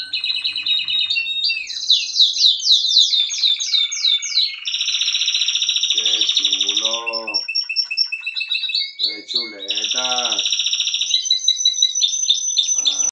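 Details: Spanish Timbrado canary, a young bird of 2023, singing a continuous varied song of fast metallic trills and rattling rolls, steady whistled tones, and deep bubbling low rolls around the middle and later parts.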